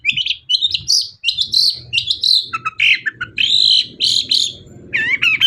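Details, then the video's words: Continuous long-tailed shrike warbling meant to stir other shrikes to sing; a varied string of squeaky chirps, buzzy phrases and wavering whistles over a faint low hum. "CENDET GACOR SUARA AMPUH..! pancingan burung cendet paling dicari"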